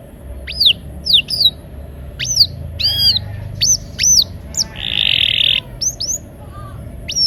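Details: Canary song played to prompt silent canaries to sing: scattered sharp rising whistles separated by pauses, with one buzzy rasp in the middle.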